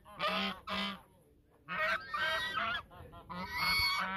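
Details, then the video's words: Duet of geese at the mouth of the Sosúa River in the Dominican Republic: two quick harsh honks, a pause, then a longer stretch of overlapping braying calls. "El canto de los gansos desde la boca del río Sosúa"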